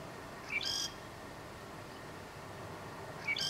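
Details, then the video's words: Southern grey shrike singing in north Lanzarote, October 2018. Brief grating phrases mixing buzzy and high piercing notes, one early and one at the very end, separated by quiet steady hiss. "(Southern Grey) Shrike song"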